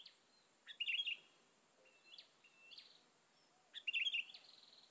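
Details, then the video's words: Sooty-headed bulbuls being lured, with others landing close by: a loud buzzy chatter opens and closes the passage, and between them come two soft rising whistled notes against quiet background hiss. "Mikat Burung Kutilang Yang Lain Pada Nempel"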